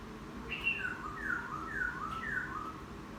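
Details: Newly caught wild laughingthrush, caged for ten days and now willing to be taken outdoors, singing in the chatter style after bathing: a run of clear, descending whistled slurs, each about half a second long, repeated four or five times in quick succession.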